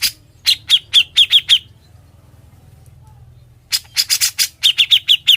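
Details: Grey-cheeked bulbul singing actively in ngebren style for training other birds: two short bursts of quick chirps mixed with harsh scratchy notes, separated by about two seconds of quiet.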